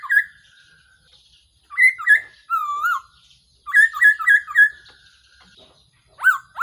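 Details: A Black-throated laughingthrush, recorded for trapping as a decoy, gives short stuttered whistle bursts mixed with one drawn-out falling whistle and a final sharp upslurred note.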